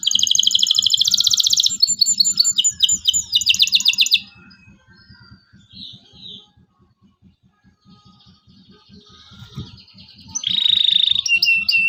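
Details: Local canary song used as a lure to teach young canaries to sing: rapid, buzzy high trills for four seconds, a quieter stretch of faint chirps, then another loud bright trill. A soft low pulsing rumble sits underneath throughout.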